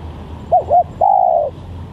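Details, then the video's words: Single spotted dove phrase used as a lure: two short wavering notes, then a sustained, slowly falling coo lasting about half a second, mellow and mid-pitched. "Pikat Tekukur"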